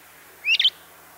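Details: LeConte's thrasher giving a single short call: a quick upward-sweeping whistle that breaks into a brief burbled flourish, clear against a quiet background.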